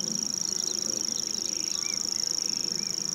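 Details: Common grasshopper warbler song: a continuous, very high, even insect-like reeling trill held steady for the whole stretch, with a few faint short bird notes in the background.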